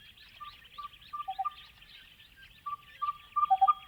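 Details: Crested bellbird (Oreoica gutturalis) song in the Australian outback: ventriloquial, pure bell-like ringing notes, a higher note then a lower double, quickening into a final run, over a steady hiss of insects.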